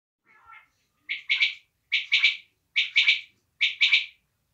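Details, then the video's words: Local desi quail calling: a faint low introductory note, then four loud bright triple-note bursts, each rising sharply and repeated roughly every 0.85 seconds, against a silent background. "desi batair ki new awaz"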